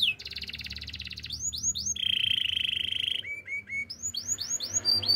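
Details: A canary sings continuously. A dense rapid trill leads into swooping upslurred whistles, then a long steady rolling note, short dropping chirps and more rising swoops, with light background hum.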